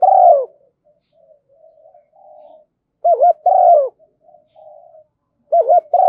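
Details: Decoy spotted dove, used to lure wild doves, giving its calling coo: a rolling, throaty phrase of short coo, trilled longer coo and a final coo, repeated about every three seconds, with soft low coos between phrases.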